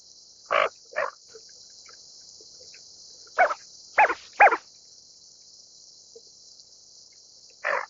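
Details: Greater scaup, or bell duck: a series of short rasping growls, some paired, spread irregularly over eight seconds against a steady high hiss.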